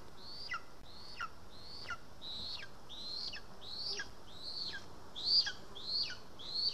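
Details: {'caption': 'Lesser spotted eagle at its nest in Estonia on 2 August 2020, on a day it was brought 13 voles. Thin, high whistled calls, each rising then dropping into a short falling tail, repeated about one and a half times per second.'}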